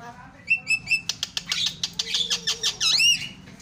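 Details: Javan myna lure song for stuck birds: three short whistled notes open, followed by a quick train of about ten sharp harsh pulses and a final rising-then-falling whistle, over faint low background hum.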